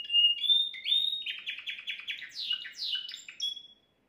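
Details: Timbrado canary, the keeper's finest singer, song recorded at home for training young birds: a loud whistled opening, a fast rattling trill of repeated notes, then sweeping downward slurs and a short whistle before falling silent.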